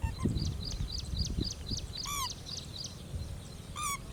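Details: Pheasant-tailed jacana foraging in a lake, giving two nasal downslurred calls about two seconds apart, with a rapid series of high chirps from other birds and low rumbling background noise.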